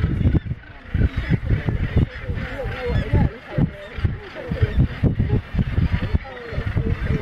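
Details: Many Northern Gannets call at once at Bempton Cliffs, Yorkshire, 27 June 2015: a dense, overlapping chorus of harsh, grating, rasping notes, with low wind rumble underneath throughout.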